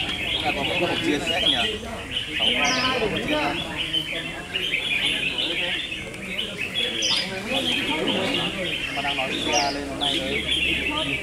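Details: Several red-whiskered bulbuls sing against each other in a contest, producing dense bursts of fluty warbles and chirps, with occasional louder whistled notes rising above the steady chorus.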